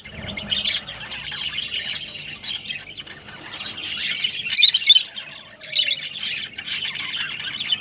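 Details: Rosella birds vocalising, played to stimulate mating; steady buzzy twittering in waves, with a loud sharp burst in the middle and softer chatter after.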